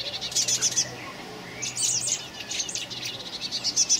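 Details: Young common blackbird fledglings recorded on 26 May 2018, giving bursts of rapid, high, thin pulsed calls in quick stuttering series, with brief gaps between bursts and other chirping birds in the background.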